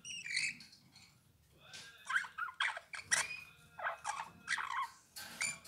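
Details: Eurasian bullfinch song made of rapid creaky and twittering notes in several bursts, with a few thin whistled strands, over a low steady hum.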